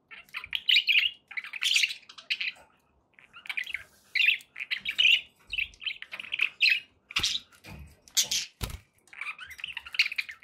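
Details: Happy pet budgies warble in short, chattering phrases about a second long, separated by brief gaps, with scratchy twitters and a few sharp clicks between them.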